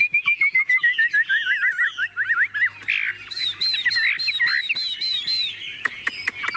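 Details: Tame Chinese hwamei in a shaken cage sings a fast stream of descending slurred whistles, then rich high warbling phrases, with a few sharp taps toward the end.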